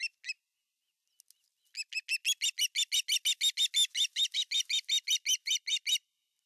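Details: Osprey, the male at nest #1 in Finland on 18 August 2020, arriving with a giant fish: two sharp notes, then a rapid run of about twenty-five high, whistled, slightly buzzy cheeps, about three per second, steady and loud, with no other sounds.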